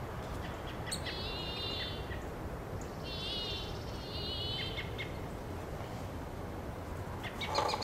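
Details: A pygmy nuthatch on a Monterey pine in Del Monte Forest, California, gives shrill, staccato piping in quick chattering bursts, repeated several times over a steady low rumble of wind or distant noise.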